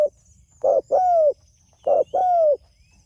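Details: A spotted dove calls out to others. Two phrases, each a brief coo followed by a long drawn-out coo that slides gently downward, with faint thin bird twitters far behind.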